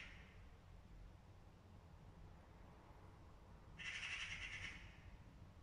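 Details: Angry magpie: one loud, harsh, rasping rattle lasting about a second, a fast grating chatter standing out from a steady low hum and faint background.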